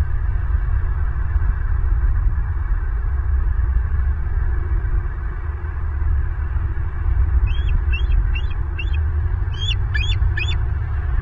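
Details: Wild bald eagle at its nest in Southwest Florida, filmed by a live nest camera on 8 April 2023 around 12:15; a short series of high, sharp chirping notes comes late, over heavy steady wind rumble.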